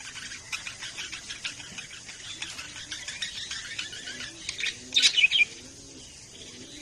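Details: Pet budgerigars chattering in a steady stream of high, scratchy chirps and twittering warbles, with a louder cluster of bright squeaky notes near the end.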